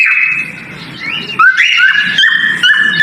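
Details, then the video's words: Male cockatiel whistling a mating call during breeding: sustained clear whistled tones that step upward in pitch, then a run of short repeated whistles with quick downward slurs, indoors. "Mating Call Male Cockatail Whistling Sound Of Breeding"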